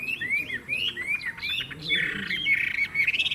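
Chinese hwamei singing loud, clear whistled phrases that slur up and down, followed by a harsher, rattling burst; nothing else stands out.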